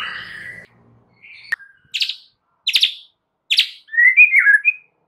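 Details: Lure song of a white-rumped shama, played to get other shamas to respond: separated sharp chips and buzzy bursts about a second apart, finishing with a short fluting warble.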